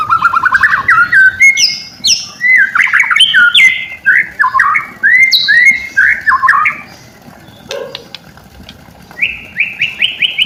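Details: White-rumped shama song played as a lure to make silent shamas respond and sing: varied loud whistled phrases, an opening rising series of quick notes, then swooping slurred whistles and a closing run of rising notes.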